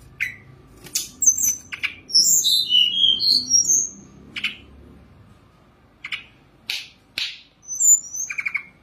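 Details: Sunda robin perched motionless while singing a full, rich song with elaborate fill-in phrases: sharp high clicks and chips mixed with rapid squeaky, warbled high notes, irregular bursts about twice a second, over a quiet low background hum.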